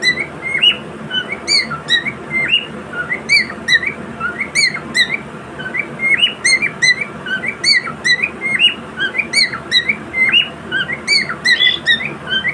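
A cockatiel gives a run of bright, rising and falling whistled chirps over a steady background hum.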